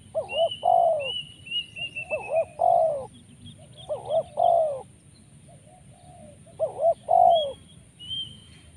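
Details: Lure call of a spotted dove, locally tekukur, 'poin penguasa makam' type rich in rolling 'rrr': four loud repeated phrases of paired short coos and a stretched falling note, roughly every two seconds, over thin high whistles from another bird.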